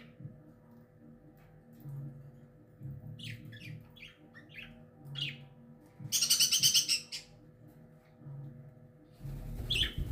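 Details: Rose-ringed parakeet, described as a talking parrot: scattered short high chirps, then a loud, buzzy, harmonic screech lasting about a second, and a final rising squawk, with faint low household hum throughout.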